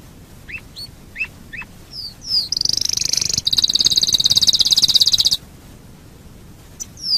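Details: Domestic canary singing as a lure to set other canaries singing: a few scattered swooping chirps, then a loud high buzzy trill held about three seconds, then quiet.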